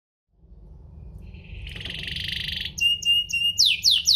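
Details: Canary song played to provoke other canaries into singing: a buzzy trill gives way to a steady tone, then loud descending whistled sweeps repeated rapidly.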